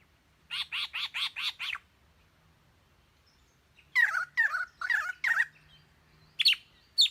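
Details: A bird good at imitating the calls of other birds. Five quick, evenly spaced chirps, a pause, four harsh buzzy notes, then two sharp high whistles. Very quiet background.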